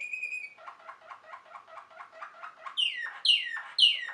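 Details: Waterslager (Malinois) canary, a Belgian song breed kept for its water-like bubbling song. A steady whistled note with bright overtones, then rapid bubbling pulsed notes for about two seconds, then three loud downward-slurred notes.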